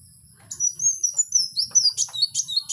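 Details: Kowul singing in the wild: after a quiet half second, a run of thin, high, sliding whistles, several strung together, ending in quicker sharp chirps, with a faint low rumble underneath.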